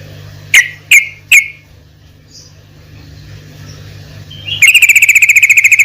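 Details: Sooty-headed bulbul (trucukan) used as a lure sound for hobby birds: three loud separate chips, a quiet gap, then a fast, even rattle of bright chip notes to the end over a low hum.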